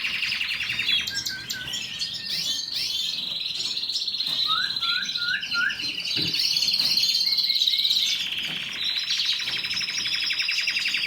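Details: Canary singing a long, rich, unbroken song of buzzy rolls, fast trills and warbles, with a short series of three lower swooping notes near the middle.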